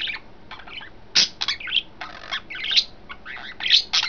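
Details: Pet budgies, three birds in a freshly arranged cage, recorded May 26, 2012, keep up a dense run of sharp, warbling chirps and clicks with barely any gaps.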